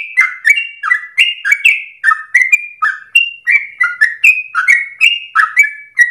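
A Yellow-vented Bulbul sings a long, unbroken run of bubbly, liquid notes, two or three each second, hopping between mid and higher pitches. No other sounds.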